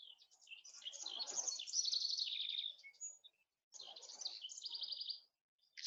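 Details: House wren in a field with many song sparrows, in the breeding season: two bubbly, rapid cascades of high chattering trills, the first about three seconds long and the second shorter, with faint background noise.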